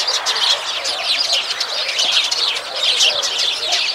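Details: Flock of sparrows in steady chatter, many bright, sharp chirps tumbling over one another in a busy, unbroken twittering mass.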